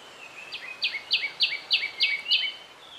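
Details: Nesting black-naped monarch, male and female: a fast, even series of six ringing high notes, each with a short dropping tail, repeated about three times a second.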